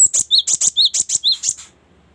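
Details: Cinereous tit, a song variation used to train songbirds: a brisk phrase of sharp high notes alternating with lower slurred notes, about five pairs delivered in under two seconds.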